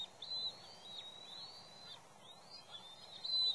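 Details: Bald eagles at the West End nest while a third juvenile intrudes among the chicks and parents. Long, thin whistled notes glide and fall, a few drawn-out calls with short pauses, over steady background noise.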